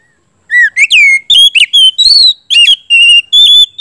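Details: Oriental magpie-robin singing in the loud gacor ngeplong style, used to goad a stalled bird into replying. A continuous run of bright, ringing whistles, some sliding up and some down, repeats more than twice a second with brief breaks.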